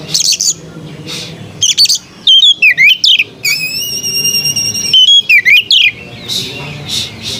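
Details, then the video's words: White-rumped shama with a sweet voice giving loud clear swooping whistles, then a long steady pure whistled note held over a second, followed by more downslurred whistles and soft chatter. "Burung kacer bersuara merdu"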